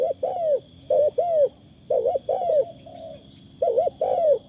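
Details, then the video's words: Decoy Spotted Dove giving thin, light calls: mellow paired coos with a rising-falling shape, a short flat coo between groups, and a faint steady high whine throughout. "ต่อนกเขาใหญ่ เสียงดีมากคารมบางๆฟังแล้วเพลิน"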